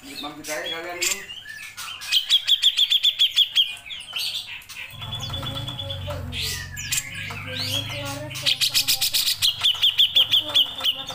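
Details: Lively grey-cheeked bulbul in long 'nembak' song for songbird training. Two fast bursts of sharp repeated high notes are separated by a steady whistled note over a low droning hum, with chattering phrases in between.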